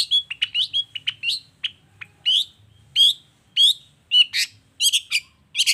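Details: Long-tailed shrike singing vigorously in 'toet toet' style, a lure to set other shrikes calling: a rapid jumble of harsh, buzzy notes and short whistles, irregularly spaced, with brief pauses.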